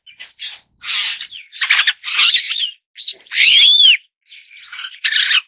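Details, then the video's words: Superb starling with a series of buzzy, scratchy chatter bursts, then a loud ringing whistle that rises and falls, with more rasping notes after. "栗頭麗椋鳥/Superb Starling"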